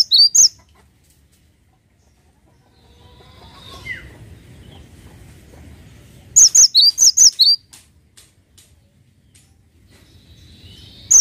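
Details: Cinereous tit singing in short bursts: a sharp high note at the start, a quick run of about seven ringing high notes in the middle, and one more note at the end, with quiet low rumble between phrases.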